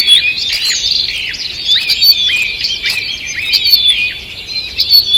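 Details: Forest dawn birds on 2 June 2023 keep up a steady high chorus of chirps, trills and short whistled notes, several singers overlapping evenly throughout.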